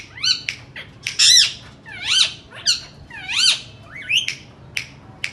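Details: Indian ringneck parakeets squawking: loud harsh arched screeches repeated roughly every second, some with sharp clicking notes between them, shrill and high over a soft low hum.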